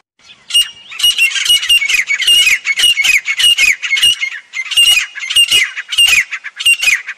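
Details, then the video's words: Grey francolin giving loud, harsh, high-pitched squawking notes in rapid bursts, a ringing repeated cackle carrying on without pause. Nothing else stands out. "Teetar awaz Teetar voice Teetar ki awaaz Teetar bolne ka tarika Teetar sond Teetar sound"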